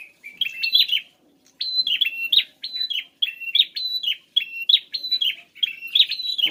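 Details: Rapid, high, ringing chirps from a prinia, meant to prompt a ceplier to answer, repeated in lively bursts about twice a second after a short pause near the start; clean, quiet background.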